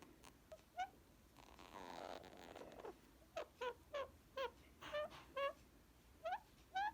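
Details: Tame male Indian ringneck parakeet, green, enjoying pets in a small room but biting playfully; a run of brief upswept nasal chirps, about ten in quick uneven succession, after a stretch of rustling handling noise.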